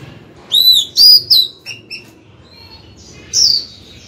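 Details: Female Oriental magpie-robin calling her mate with song: a quick run of ringing whistled notes, some rising and some falling, then short lower chips. A lone bright whistle ends the phrase.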